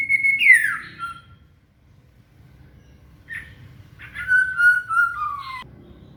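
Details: Murai (shama) singing, used to train a cililin: a loud whistle sliding steeply downward, a pause, then a brief burst and a long, slowly falling whistled phrase, with faint low hum beneath.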